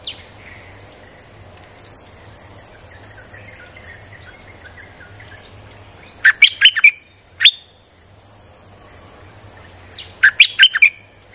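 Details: Streak-eared bulbul song played to lure wild birds: after a quiet stretch, two quick bursts of about five short, sharp chirping notes rising and falling, each bout under a second, over steady high insect-like whining and low hum.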